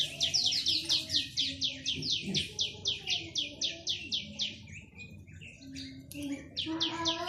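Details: Chinese hwamei pouring out a fast series of about sixteen identical rising whistled notes, several each second, then breaking into varied chattering phrases and a few more repeats, over low background rumble.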